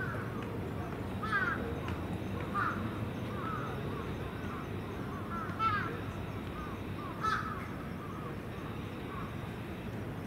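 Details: Evening crow roost at Venus Terrace: scattered hoarse caws every second or two, some in short bursts, over heavy, continuous wind rumble.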